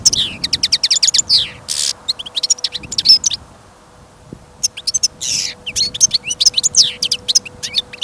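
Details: A caged European goldfinch, acquired before New Year and kept for listening, sings through snow and wind: rapid ringing trills, buzzy rasps and tumbling twitters, a short silence, then another exuberant phrase.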